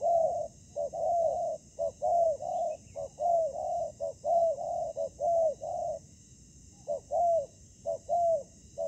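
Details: Ground-decoy spotted dove meeting fierce wild doves: a rapid, dense run of hollow coos for six seconds, a short pause, then three more spaced short-long phrases.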